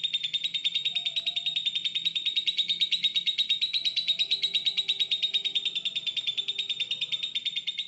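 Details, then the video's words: Masteran training song of a lovebird: an unbroken, rapid stream of high, scratchy chirps, about three per second, holding an even pitch and loudness throughout, with no other clear sounds. "Masteran Terbaik Love Bird"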